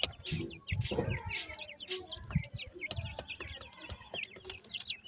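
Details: Grey francolin chicks while feeding: rapid, high, thin peeping chirps, often rising or falling, from several birds, broken by loud broadband bursts of knocking and handling noise.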